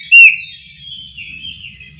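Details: Kacer (Oriental magpie-robin) singing at night. One loud clear whistled note opens, then quiet, wavering, drawn-out whistles trail off over a low background murmur.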